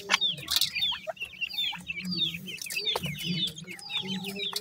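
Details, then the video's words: Grey francolin chicks, newly hatched, giving many overlapping high, thin chirps and short rising peeps, almost continuous throughout, with a soft low hum underneath. "bhura teetar k new chicks"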